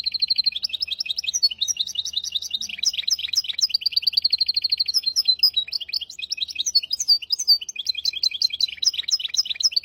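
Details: A hybrid finch sings continuously for about ten seconds, a tutor song for goldfinches and canaries in hafada and widani styles. It mixes rapid high trills with twittering, warbled phrases, dense and unbroken, on a clean, quiet background.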